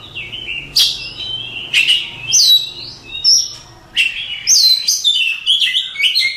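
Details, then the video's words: Oriental magpie-robin (Copsychus saularis), a contest champion, giving bright whistled phrases mixed with sharp rising and falling notes and quick chirps, with a faint low hum beneath. "Suara Kicauan Burung Kacer Juara Kontes"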